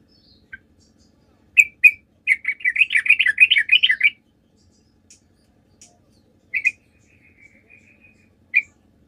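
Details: Sooty-headed bulbul singing vigorously, meant as a lure for other bulbuls to reply; two sharp chirps lead into a dense bubbly chatter lasting about two seconds, followed by a few spaced notes.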